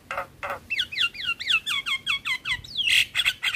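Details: Javan myna, singing actively in a tutoring recording for caged starlings that mixes in other starlings: two harsh rasping bursts, then a fast run of looping whistled notes alternating high and low, ending in loud squeaky chatter.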